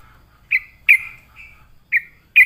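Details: Sooty-headed bulbul singing after being lured: single short, bright, slightly sliding notes given one at a time with gaps of up to a second between them.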